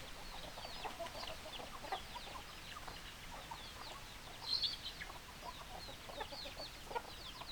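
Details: Chickens cluck in a continuous chattering chorus of brief, sharp, high notes. A louder, shrill squawk stands out at about four and a half seconds, with further scattered louder clucks near the end.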